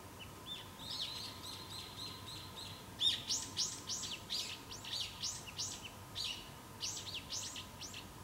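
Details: Loudly calling brown-eared bulbul: a few thin chirps, then a rapid run of strong, arched, slurred notes repeated several times a second for about five seconds, over a faint steady background hum.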